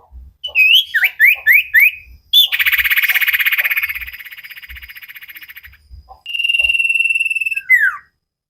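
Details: Common iora sirtu song used to train cage birds: a run of quick V-shaped whistled notes, then a loud buzzy pulsed trill fading over three seconds, and a clean pulsed trill ending in a downward slur.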